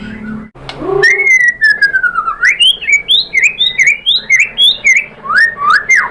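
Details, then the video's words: Murai batu, or white-rumped shama, in Indonesia, with song used to provoke other birds to sing. A long falling whistle opens a series of rhythmic, looping whistled notes repeated about twice a second. "KICAUAN MURAI BATU bikin NYAUT ikut BUNYI jadi GACOR"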